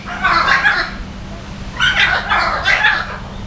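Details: Salmon-crested cockatoo at Jurong Bird Park in Singapore, visited on February 14: three harsh, grating shrieks, one early and a close pair near the end, separated by a quiet gap, over a steady low hum.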